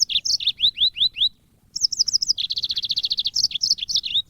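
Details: Yellow-fronted canary from Africa singing a varied high phrase for songbird training audio: repeated rising notes, a short break, then a fast even trill of identical chirps followed by looping warbled notes.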